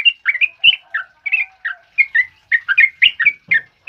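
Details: Sooty-headed bulbul in ropel uplik style, loud training song for other birds: bouncy clusters of clear whistles, some upslurred, some falling, with brief soft knocks in the background.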